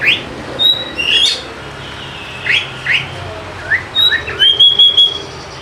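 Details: Oriental magpie-robin lure song to make lazy birds sing: scattered high whistles and short sweeping chirps, ending in a loud steady whistle pulsed rapidly.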